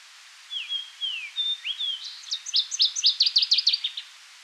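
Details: Fox Sparrow in the boreal Seal River Watershed, Manitoba, its breeding area, sings a few clear, slurred whistles, then a quicker, rich run of rising and falling notes, likened to R2-D2, lasting about four seconds over quiet background.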